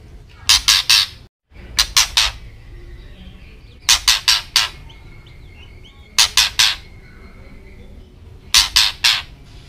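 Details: A white-rumped shama gives harsh, rasping triple bursts, a scolding rattle (ketrekan) repeated about every two seconds over a faint steady hum; presented as training audio meant to excite and provoke shamas.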